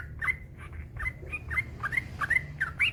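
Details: Long rapid yellow-vented bulbul song from a master recording: bright bubbly notes, many sweeping upward, delivered about three per second in a lively chattering run over faint low hum.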